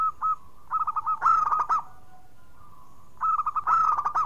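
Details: Zebra dove of the local Indonesian kind singing strongly, a lure to revive silent birds: two quick phrases of staccato coos that swell into loud, rough bursts, with a short quiet gap between.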